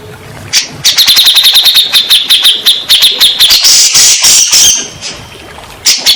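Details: Grey-cheeked bulbul, played as a lure so stressed birds sing back: a long fast train of sharp high notes that swells into a dense, harsher rattling passage, then fades to single notes.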